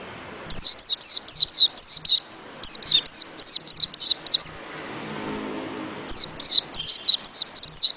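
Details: White-eye delivering three runs of sharp, high-pitched twittering notes, each note swooping down, with brief quiet gaps between runs.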